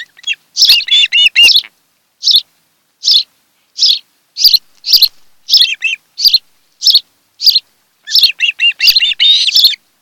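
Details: Osprey pair at their nest, Kent Island, Maryland, filmed by a nest camera on a July 2018 afternoon. Strident whistled yelps open and close the passage, with evenly spaced single high chirps roughly every three-quarters of a second between.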